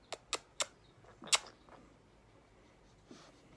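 A grey parrot makes sharp, smacking kiss sounds: three quick ones, then a louder one and a few fainter ones. The room is otherwise quiet.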